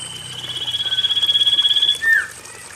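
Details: Common iora song played to stimulate lazy caged birds to sing: a long, steady, high whistle with a fast tremolo, ending in a sharp downward slur. A faint low hum sits underneath.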